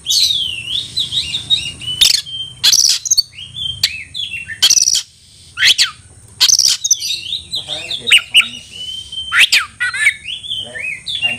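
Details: Oriental magpie-robin calling a rival to fight, giving varied whistled phrases broken by loud harsh bursts, with a steady high hiss behind.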